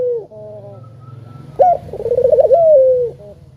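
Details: Spotted dove used to coax other doves into calling: the tail of one falling coo, then after a low rumbling pause a sharp rising note, a wavering trill and a long smooth descending coo ending in a short note.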